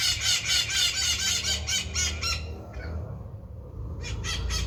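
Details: Maritaca, a parakeet, making noise: fast run of harsh, raspy squawks about four per second, fading out midway, then a short renewed burst, with a low background rumble.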